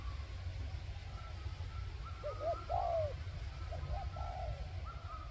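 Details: Spotted dove used as a decoy for wild birds: two soft cooing phrases, short paired notes leading into a longer falling coo, over a low rumble with faint higher tones in the background.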